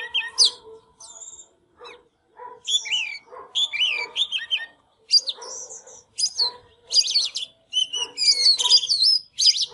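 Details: White-rumped shama, a caged bird singing and dancing in display, delivering a rich varied song: clear whistled notes mixed with rapid buzzy and chattering phrases, swooping slurs and dense bursts toward the end.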